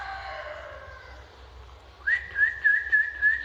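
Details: Canary from Lampung giving a steady whistled trill of evenly repeated slurred notes, starting after a stretch of low hum and a faint, fading tonal sound.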